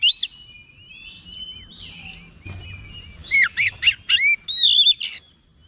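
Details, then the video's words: Agitated oriental magpie-robin answering with soft rambling whistles at first, then a burst of loud looping upswept notes and a harsh buzzy ending, over faint low background noise. "KACER MALAS BUNYI LANGSUNG RESPON NAIK EMOSI GACOR BONGKAR ISIAN"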